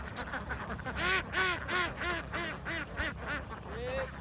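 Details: Young domestic ducks in a large flock on a Vietnamese farm give loud, clear quacks, each a nasal arched note, repeated roughly three per second in a quick run, over a background of softer flock chatter.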